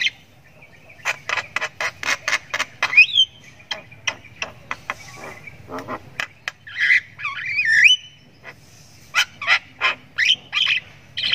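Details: Javan myna chick, a young bird learning to sound, chirping at length: series of short sharp chirps with rising and falling whistled notes and raspy bursts, some fast runs of clicks.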